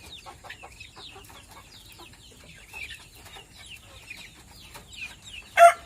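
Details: Ayam ketawa from Meulaboh with soft, distant, repeated descending cackles spread across several seconds, ending in a loud burst of noise.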